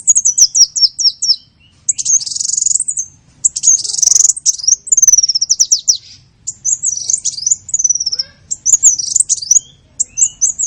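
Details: Small-bird lure call used to attract small birds: high, thin chirps and rapid descending trills, buzzy rising notes and repeated tweets in quick bursts, with brief pauses between phrases.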